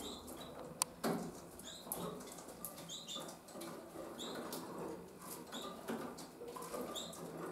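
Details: Harlequin canary young, 20 days old, leaving the nest; short high chirps come in quick repeated pairs and bursts throughout, over soft rustling, scratching and occasional sharp clicks.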